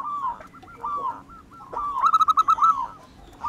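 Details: Local wild zebra dove singing: a string of soft, bending coo notes, then a fast, loud run of evenly spaced staccato pulses near the end.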